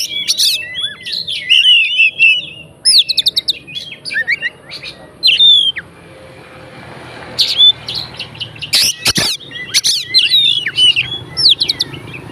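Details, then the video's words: Fighter Oriental magpie-robin song meant to provoke other magpie-robins: loud, varied whistles and rapid chip phrases in bursts, with a quieter pause midway and a couple of sharp clicks. "BUNYI BURUNG KACER FIGTER, FULL ISIAN KACER LAIN LANGSUNG ON"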